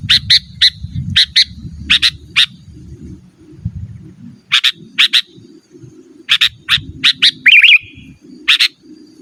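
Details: Sooty-headed bulbul, recorded for calling wild birds and training caged ones, utters clipped harsh notes in pairs and triplets with one brief liquid warble near the end, over an uneven low rumble.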